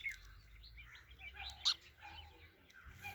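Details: Sparrow twittering softly in quick, high chirps, with one brief, louder squeak in the middle and faint low hum behind.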